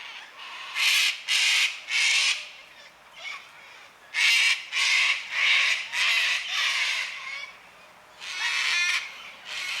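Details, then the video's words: Cockatoos calling noisily on a quiet Sunday afternoon around 5 pm, during daylight saving time: harsh, raspy broadband screeches in bursts of about half a second, clustered in groups of two to four with short pauses between, loud and dominant throughout. "cockatoos making noise on a quiet sunday afternoon"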